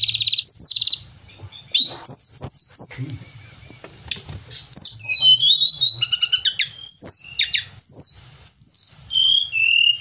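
A Pied bushchat sings a lively run of high, clear whistled and trilled phrases, with quick notes tumbling and sliding between bursts and brief pauses.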